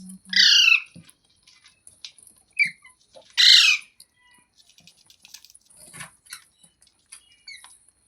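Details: Captive green parrot, a rose-ringed parakeet, giving two loud harsh squawks a few seconds apart, with faint chirps, clicks and small scratching sounds between them indoors.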